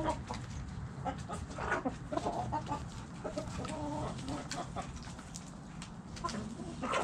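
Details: Backyard chickens cluck and murmur in overlapping short calls, several birds together, with clicks and rustling throughout.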